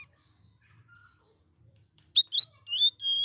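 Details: Sooty-headed bulbul, a young bird practising its varied song: after near silence, sharp chirps rise into short whistled phrases and end on a steady high whistle, with a faint low hum beneath.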